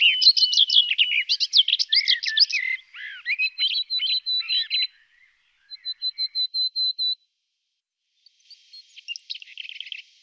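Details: Garden warbler delivering a hurried, bubbling warble, then a run of seven identical short clear notes evenly spaced, followed after a pause by a softer closing burst.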